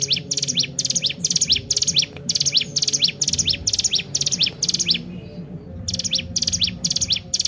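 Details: Sunda warbler, locally ciblek gunung, singing a lively lure song for training other birds: rapid repeated high chirps with steep downward sweeps, pulsed in quick bursts about twice a second, over low background hum.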